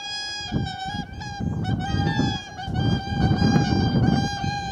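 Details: Whooper swans, apparently pairs calling to each other, perhaps in greeting, on 13 January 2021, trade loud, bugling trumpet notes in a rapid overlapping exchange over a low rumble of wind or water.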